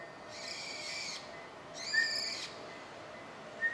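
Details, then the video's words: Brown-eared bulbul calling on 21 January 2024 in an exchange with a person it has known for ten years: two harsh, rasping notes, each under a second, about half a second apart, with a short thin whistle after each. "ヒヨドリのピーちゃん と10年来の会話ピーヨ"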